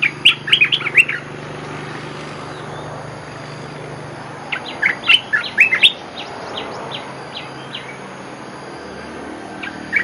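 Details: Olive-winged bulbul giving its lure call: a quick chattering burst, a pause, then a second burst trailing into a string of softer, separate chirps over steady background noise.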